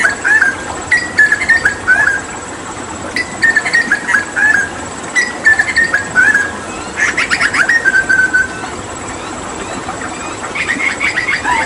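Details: Papuan hooded butcherbird, a mimic used for tutoring songbirds, sings phrases of level whistles broken by scratchy buzzy notes, pausing between bursts, with a final run of harsher chatter.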